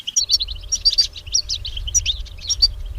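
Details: Wild European goldfinch giving a lively high-pitched song of bright chirps, short slurred whistles and twitters in quick succession over a low background rumble.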